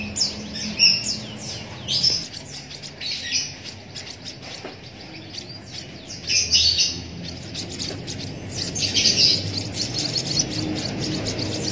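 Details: White-headed munia chick hand-fed with a used drinking straw, giving high, thin chirps in scattered bursts that grow busier toward the end, over low background hum.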